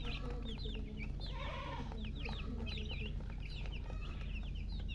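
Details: Colour-dyed baby chickens thirsty for water chirp constantly: dense, high, downward-sliding peeps from many chicks at once, some quick double notes, over a persistent low rumbling background.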